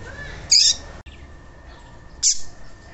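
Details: Coleiro tui tui (double-collared seedeater) warm-up recording for encouraging a quiet cage bird to sing: a sharp high note, then a second brief bright chirp under two seconds later, with faint background hum throughout.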